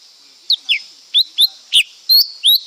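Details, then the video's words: Lesser green leafbird sings a varied string of about eight bright notes, downslurred chirps giving way to rising whistles near the end, spaced about a third of a second apart, with a faint steady high hiss. "เสียงนกเขียวก้านตองเล็ก Lesser Green Leafbird Sound"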